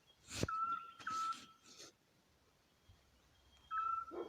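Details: A pair of Eurasian Scops Owls in Alcoutim municipality, Portugal, duet in clear, pure whistled notes, recorded by phone from directly under their tree, one nearer and one farther off, with footsteps and a dog audible.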